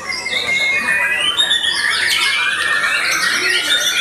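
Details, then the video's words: White-rumped shama singing after its moult, a continuous rich stream of high whistled notes and sliding phrases, steady and loud throughout, with no pauses between phrases. "Murai Batu VOKALIS Pasca Mabung Semakin "WOW""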